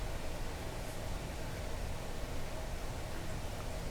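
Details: Steady hissing, rumbling noise throughout, resembling wind or a moving vehicle, with no animal sound present.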